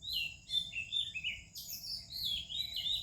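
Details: Oriental magpie-robin singing melodiously in the morning in India, with other birds: a run of varied clear whistles, slurred up and down, following one another almost without pause.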